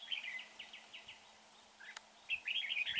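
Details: Red-whiskered bulbul at a trap, noted for a good voice: a quick string of bright, slurred chirps, a brief pause with a click, then another lively burst of sharp notes.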